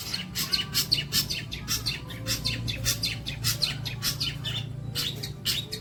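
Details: Long-tailed shrike recorded as training material for songbirds, pouring out dense, buzzy, high-pitched chatter in quick repeated bursts over a low background hum.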